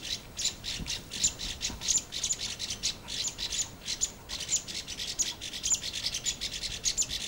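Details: Orange-flanked bush-robin (red-flanked bluetail) wintering in the lower hills, giving thin high chirps in clustered bursts roughly every half second, some notes sharper and brighter, over a faint steady background hiss.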